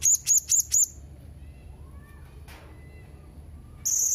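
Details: Blue-crowned hanging parrot uttering four quick, piercing high squeaks, then faint softer whistles in the background, and finally a fast, dry, high trill.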